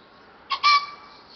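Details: A young Green pheasant, not yet able to call long, gives a short, harsh two-note call, a brief clipped note then a longer rasping one, in a quiet setting.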